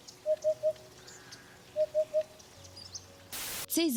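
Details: Eurasian Hoopoe in Ukraine in open country: two runs of three low, hollow 'oop' notes about a second and a half apart, a dull repeating signal given when excited or landing; a burst of noise and a brief sliding sound follow.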